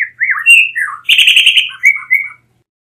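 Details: Blue mockingbird song in a quick varied phrase: slurred whistles, a burst of harsh buzzy rapid notes in the middle, then short clear whistled notes trailing off.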